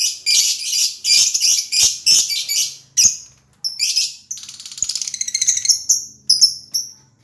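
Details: Lovebird chirps come in a quick series of harsh, high squeaks, followed by a rapid trilled rattle and a few final short whistled squeaks.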